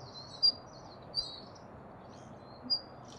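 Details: Daurian redstart at Kasai Rinkai Park giving three sharp, high whistles spaced under a second apart, with faint buzzy chatter between them.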